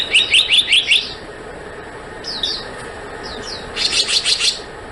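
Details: Black-naped monarch: two bursts of about five rapid, ringing chirps at the start and end, separated by a few soft falling whistles. A continuous high hum runs in the background.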